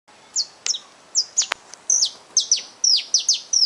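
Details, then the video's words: Wild saffron finch singing in nature: a quick series of bright, downward-sweeping chirps, high and sharp, delivered in uneven bursts about every third of a second, with a faint hiss of background noise. "Canto canário da terra na natureza"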